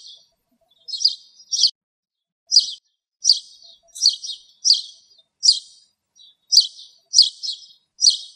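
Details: Spanish sparrow perched in a bramble somewhere in Greek countryside, giving short harsh chirps, often doubled or tripled, about one burst every half second to a second, against near silence.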